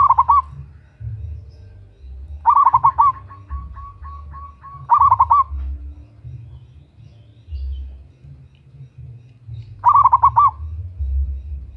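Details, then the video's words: Local zebra dove female calling to a male, a lure recording: four loud bursts of rapid cooing notes spaced a few seconds apart, one followed by a long soft string of evenly repeated coos. "Perkutut Lokal GACOR Suara BESAR - Pancingan bunyi"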